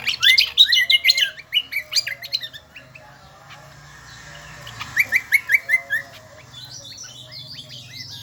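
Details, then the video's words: Shrill, lively song of the kecial kombo, a Lombok endemic bird: dense bursts of rapid high chirps, a brief pause, a clean run of about six bright repeated notes, then scratchy twitters. "burung kecial kombo gacoorrr melengking"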